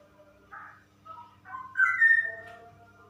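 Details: Female straw-headed bulbul, ropel song: soft, quavering whistles rise into one loud, liquid, slurred phrase, then trail off in mellow, lower notes over a faint steady hum.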